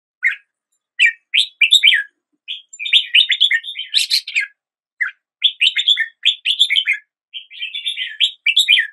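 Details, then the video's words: Red-whiskered bulbul singing lively strings of chirpy, warbled notes, phrase after phrase with short breaks, including one sharper burst mid-song; no other sounds. "Red whiskered Bulbul Song"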